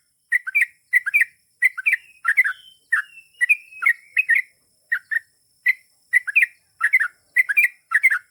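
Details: Yellow-vented bulbul known as trucukan singing gacor long ropel, aimed at making trucuk respond instantly: regular bursts of bright chirping notes, with a short sliding whistle in the middle.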